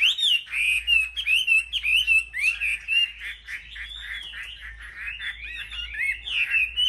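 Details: Caged Chinese hwamei from a selection of market birds in competitive singing: loud, clear whistled phrases, rising and falling, in quick varied bursts about once a second, with short pauses and a faint low hum beneath.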